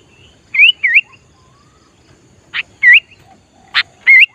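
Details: Sooty-headed bulbul singing to draw in wild bulbuls: clear bouncing whistled notes, each a short wavy phrase, paired with sharp clicks, spaced about a second apart over a quiet background.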